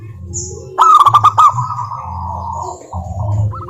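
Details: Zebra dove of local stock used as a lure song: a loud clattering burst runs into a long, even, drawn-out tone, then brief soft coos, over a low hum.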